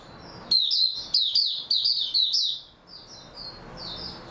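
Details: Oriental white-eye song from 03-03-2022, after the bird slept well: a quick run of bright, high, warbling chirps lasting about two seconds, then softer, thinner notes trailing off.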